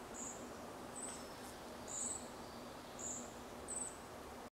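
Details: Young red-breasted flycatchers giving contact calls in forest at Zartovka, 14 June 2012: thin, very high, brief notes, roughly one each second, over steady background hiss.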